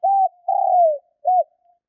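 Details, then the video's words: A spotted dove in the fast luring style used to attract wild doves: a flat hollow coo, a longer coo sliding downward, then a brief arched coo. The notes are low and clean against silence. "Tiếng chim cu gáy kích bổi nhanh nổi"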